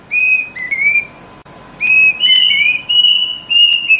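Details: Plaintive cuckoo call: clear, mournful whistled notes, each about half a second long, some sliding upward, in overlapping bursts against a quiet background.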